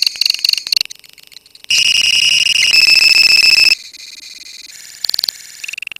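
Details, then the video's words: Lovebird colony in ngekek song. Short shrill trills lead into a loud, sustained, buzzy high trill lasting about two seconds, then softer chattering and brief bursts, over a faint low hum. "KICAU LOVEBIRD KOLONI INI TERBUKTI HANYA BUTUH WAKTU 4 MENIT SAJA LANGSUNG NGEKEK"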